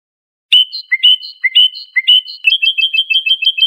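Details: European goldfinch of the Iranian Lor song style, recorded as a tutor for juvenile birds: ringing whistled notes alternating with lower chirps, then a quick rhythmic run of high chips, clean and quiet.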